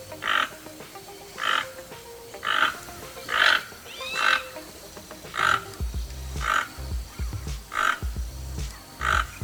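Keel-billed toucan giving eight dry, froglike croaks, one about every second. Low rumbling noise joins in the second half.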